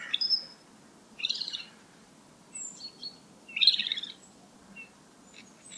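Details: Male great grey shrike singing: scattered high notes, squeaky chirps and short scratchy buzzy phrases separated by pauses, over a steady low background hiss.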